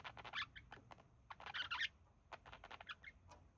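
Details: Caged pair of budgerigars resting, the male imitating human speech; soft, busy chatter of clicks and short whistled notes in two bursts.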